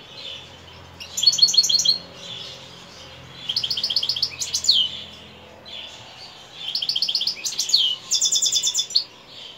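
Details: European goldfinch in evening song: four bursts of quick, bright twittering with interwoven buzzy notes and short rising slurs, separated by quieter stretches.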